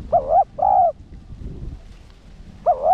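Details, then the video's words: Decoy spotted dove in a cage, cooing to excite rival males. A double coo, short then drawn out, is followed after a gap by another wavering note against low background rumble. "Cu gáy mồi cây 1 hậu gù, thúc kích bổi điên máu ức chế. cu đất gáy"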